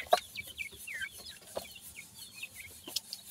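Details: Young partridge chicks, said to be baby pheasant or partridge chicks making odd teetering movements, give sparse high downslurred peeps, a few clear notes spaced apart, punctuated by several sharp taps.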